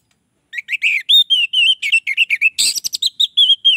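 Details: Orange-headed thrush song meant to lure others of its kind: rapid, varied whistled notes in a steady stream, sweet warbled phrases broken by a short scratchy burst before smooth whistles resume.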